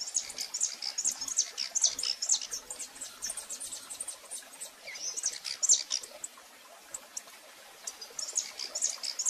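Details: Live recording of a female rufous-collared sparrow calling a great deal. Bursts of high, thin chipping notes come in clusters separated by brief lulls, with a steady faint background hiss.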